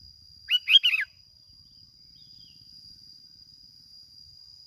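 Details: One quick phrase of three rising-and-falling warbled notes from a lure sooty-headed bulbul in Bình Thuận, Vietnam, followed by near silence and a steady high tone.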